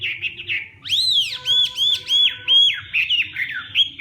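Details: Hwamei in morning song training, starting with soft twittering, then loud ringing arched whistles repeated about every third of a second, followed by mixed warbled notes.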